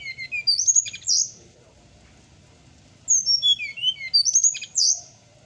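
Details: Captive-bird tutoring song recorded in the morning: a lively bird delivers two packed phrases of high, sliding whistles and sharp accents, each sweeping downward before a final bright upward flourish.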